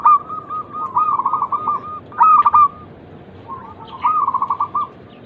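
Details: Local zebra dove cooing, played to stimulate other doves to answer. Soft rolling coos break into quick pulsed trills, with a louder burst in mid-phrase, a short gap, then another rippling coo sequence.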